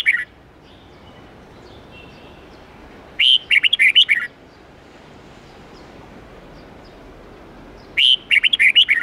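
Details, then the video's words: Red-whiskered bulbul song in the wild-forest style, 8–10 notes, used to teach young birds. Two quick rolling phrases of about seven bright whistled notes each, about five seconds apart, with soft hiss between them. "Luyện chào mào hót âm 8-9-10 giọng chuẩn rừng xoắn tít"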